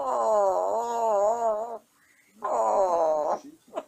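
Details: Pet African grey parrot at bedtime in its cage, babbling and singing: two long, loud, wavering, whining tones of nearly two seconds and one second, separated by a brief quiet pause.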